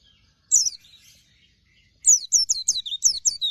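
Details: Oriental white-eye, dakun type, gives one high note, a pause, then a fast series of around seven bright, downslurred chirps.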